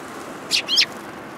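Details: A pair of quick, high chirps, the second slightly longer and falling, from Eurasian tree sparrows arriving to be fed at a Tenmangu shrine, 19 January 2022.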